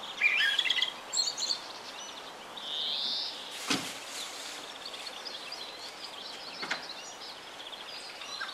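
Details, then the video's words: A common blackbird sings in spring from a pine top in the evening, quick high twittering notes then a short clear whistled phrase, over a steady hiss with a couple of sharp clicks. "Весенний Чёрный Дрозд. Пение"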